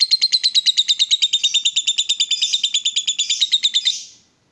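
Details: Excited caged lovebird in full ngekek, the long chatter: a steady, rapid stream of harsh, buzzy pulses, about three per second, running for four seconds before stopping abruptly.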